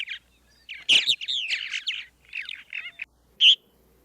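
Purple martin calls: a run of rich, gurgling chirps and warbled notes, then one clear, ringing keer after a short pause.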